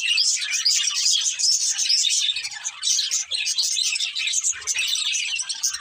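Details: Chattering budgies from a breeding pair of love birds: nonstop bright warbling and scratchy chirps packed closely together, with faint low knocks in the background.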